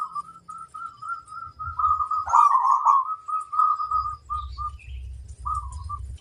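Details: A zebra dove of local stock with a large voice gives a long run of soft repeated notes swelling into a rich trilled coo, then quick clipped notes over a low background rumble.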